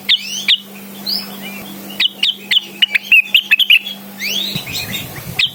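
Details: Blue-winged leafbird (cucak wilis) singing vigorously to summon a rival: spaced bursts of crisp, high chirps and brief upswept whistles, clustered quickly in the middle, over a steady low hum that stops before the end.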